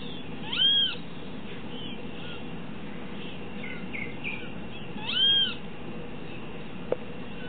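Great Kiskadee giving two drawn-out, nasal, arching calls about four and a half seconds apart, over a low steady rumble.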